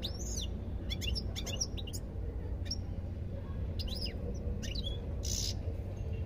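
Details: European goldfinch song: clusters of crisp high chirps and quick downslurred notes separated by brief gaps, over constant low background noise.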